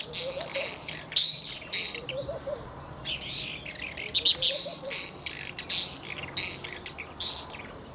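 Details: White-rumped swift at its nest keeps up a screaming display as other swifts persist in trying to get in; shrill, high screams in clustered bursts, with faint lower chirping notes beneath.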